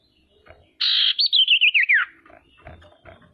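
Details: Female common iora singing steadily as a lure to provoke other ioras: a harsh buzzy note slides into a fast, wavering trill of about eight pulses that falls in pitch; low knocks and shuffling follow.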